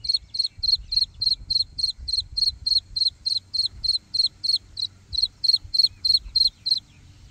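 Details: Black francolin chick calling: a fast, very regular run of high, thin peeping notes, about three per second, continuing almost without a break, with faint low rumble underneath.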